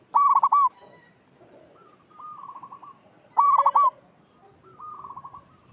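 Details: Local lure zebra dove calling twice: each phrase starts with a loud, stuttering cluster of coos and trails into a long, softer run of rapid, evenly spaced coo notes.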